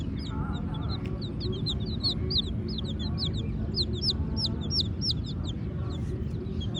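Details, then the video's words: Baby chickens, black and white, keep up a busy chorus of shrill, looping peeps that grow louder and denser midway, with a steady low hum underneath. "Baby Murgi Chicks Chirping Sounds"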